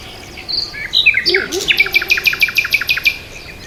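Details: Bird chirping: a few scattered high notes, then a fast, even series of sharp, repeated chips, about a dozen in quick succession, over faint background noise and a brief lower warble.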